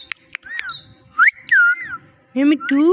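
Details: Talking parrot, said to repeat "Mitthu" and to meow: clicks and short whistles, a rising whistled slide into a wavering fall, then two low, rising, nasal meows.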